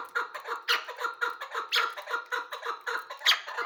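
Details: Chukar partridge calling as a hunting lure: harsh clucking notes with a rich, layered tone, repeated about twice a second in a steady, driving series, with louder bursts every few notes.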